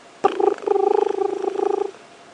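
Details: A crested barbet at Djuma Game Reserve, heard in quiet on an afternoon safari drive on 9 April 2016, gives a low, rapid purring trill of fast even pulses held nearly two seconds without a break.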